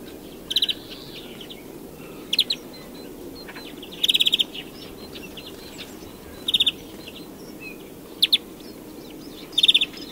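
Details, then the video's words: European greenfinch repeating short, loud, rattling trills of rapid bright notes about every two seconds, each burst brief and crisp, with a faint twitter between. "Canto do Verdilhão (Chloris chloris)"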